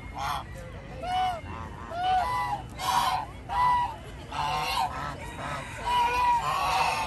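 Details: A flock of geese strolling in a park gives a series of short nasal honks, about one per second, some overlapping, with steady low background noise.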